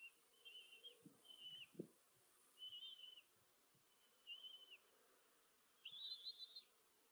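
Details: Common kestrel chicks at a nest in Tiszanagyfalu, Hungary, on 14 July 2023, as the female feeds her four young, captured by a live nest camera: faint, thin whistled notes in short bursts, repeated with pauses, plus a few soft low knocks.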